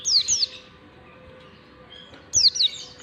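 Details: Oriental white-eye long standard 'ngalas' song, a lure for teaching young white-eyes: two short bursts of piercing, downward-slurred whistles separated by a quiet gap of nearly two seconds.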